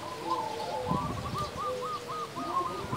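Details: A prolific local zebra dove giving a big-voiced song: a steady chain of short, bouncing coo notes repeated about three times a second, over a long lower humming coo from another bird.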